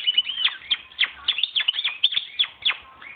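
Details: Hand-raised European goldfinch from 2011, kept indoors and coming into breeding condition: fast tinkling twitter of high, liquid notes and quick downward slurs, delivered continuously, with a person speaking briefly nearby.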